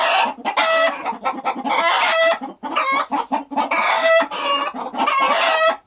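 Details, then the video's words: Chicken cackling after laying an egg: loud harsh squawks, each followed by a short clatter of clucks, in an excited, uneven rhythm. "Chicken just laid an egg"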